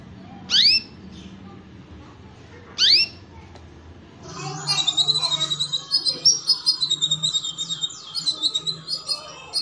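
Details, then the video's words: A mating canary, recorded as a lure for other canaries, gives two sharp sweeping chirps and then a long, high, rapid song of rolling trills and warbled phrases over a faint low hum. "kenari kawin dahsyat banget untuk pancingan"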